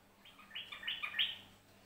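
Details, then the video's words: Short ropelan-style song of a yellow-vented bulbul from Central Java: a quick string of bright chirping and whistled notes, climbing a little toward the end, heard at moderate distance over a low background hum. "Trucuk Jawa Tengah Ropelan"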